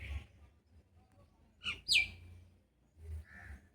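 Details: Common myna parent, nesting in a dead areca palm and perched in an arjun tree, screeches in distress after losing sight of its chick, which fell from the nest into a pond. One harsh screech slides into a thin whistle, with softer rasps around it.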